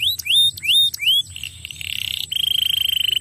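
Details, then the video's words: Canary song used to lure a quiet canary into singing: four bright upslurred whistles in quick succession, then rapid buzzy trills and a long fast rattling trill at a steady high pitch. "pancing kenari ngetem jadi gacor lagi"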